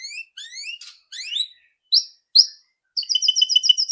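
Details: White-rumped shama song, a loud rattle used as a lure to make a bird sing quickly: rising whistled slurs, two sharp upslurred notes, then a steady high rapid trill.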